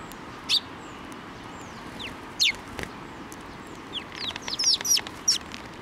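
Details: Sparrows at a Tenmangu shrine on 2024-06-23, flying onto a person's hand for food. Short, high chirps come singly at first, then in a quick cluster of overlapping notes, with faint background noise.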